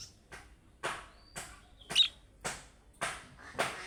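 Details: Budgerigar giving chick-style calling calls, the kind other budgerigars answer at once. Harsh, broadband chirps repeat about every half second, with one brief thin whistle in between.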